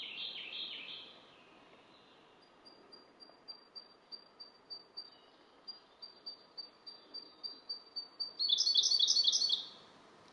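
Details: Siberian blue robin singing: a faint series of thin, high ticking notes repeated about four times a second, followed by a loud, rapid, buzzy trill lasting about a second, with a brief bright trill at the start.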